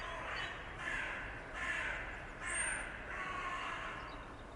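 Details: Morning birds in a sound-effect recording: a series of harsh, drawn-out cawing calls, about one every second, over a steady broadband background hiss.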